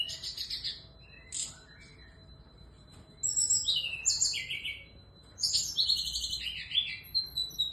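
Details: Female SRDC songbird singing actively in the morning: bursts of high buzzy trills and sliding whistled notes, some falling, others stepping up, in phrases separated by short pauses.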